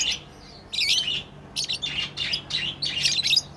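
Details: Tame pet lovebirds chirping while playing: dense bursts of high, scratchy chirps and twitters come in quick clusters through most of the stretch after a quiet start, with no other clear sounds.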